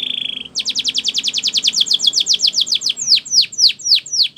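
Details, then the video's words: Spanish Timbrado canary delivering a training song: a short buzzy trill, then a fast even run of downward-sweeping notes that slows into louder, spaced swooping whistles. "Canary Training Champion Song"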